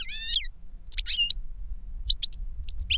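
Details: European goldfinch in reclamo song, a master bird whose song was taught by CD to a novice goldfinch; bright twittering, trilled and buzzy notes in quick bursts, with pauses between, over a low steady rumble.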